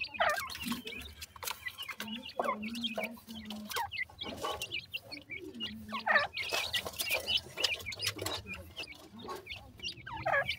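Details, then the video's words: Baby black francolins, known locally as dakhni teetar, calling playfully: dense high peeping and upward-sweeping chirps, with some lower drawn-out calls beneath and frequent clicks and knocks throughout. "baby dakhni teetar,baby ki boli"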